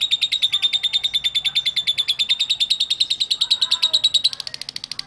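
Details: Fast, evenly spaced high chirps pour out in a continuous rattling chatter, slightly softer near the end. This lovebird song is intended to stimulate other lovebirds into ngekek singing.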